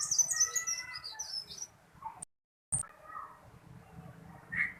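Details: Small tailorbird in Indonesia singing busily, loud, long and rolling: a rapid run of high, piercing chirps opening the phrase, a brief silence, then scattered softer notes and a low background murmur.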